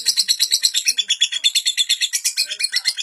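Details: Long, pause-free lovebird song meant as a master recording for young birds, heard as a piercing, rhythmic chatter of quick twittering bursts repeating about three times a second.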